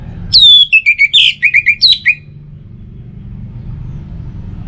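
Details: Morning and evening lure song of an Orange-headed thrush: a high descending whistle opens a fast run of about ten short slurred notes, ending with a rising flick, followed by low background hum.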